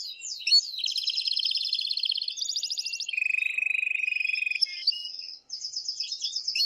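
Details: Excited male canary in loud song meant to rouse a female for mating and to be heard by chicks: a chain of fast rolling trills at changing pitches, including a lower steady rattle, with a clean background.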